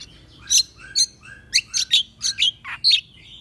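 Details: Oriental magpie-robin in the morning, excited to sing and spreading its tail: a lively phrase of loud clear whistled notes and sharp chirps, each rising then falling, roughly three per second.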